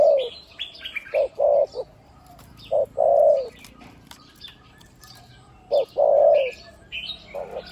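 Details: Deep-voiced spotted dove decoy, a one-kuk type cooing ku-ang almost all the time, gives clipped low coo notes followed by a longer drawn coo, groups spaced several seconds apart, small birds twittering in the background.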